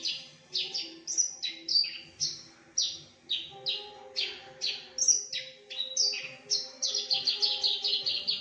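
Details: Javan bush lark copying other birds such as canary, prinia, shrike and bulbul, loud and clear: a fast run of about twenty sharp, high, descending chirps, some buzzy, over a faint low steady hum.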